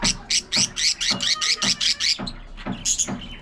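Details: Domestic budgerigars chattering during play and squabbles: a steady string of loud, raspy high chirps about four per second, breaking off into a few quieter notes.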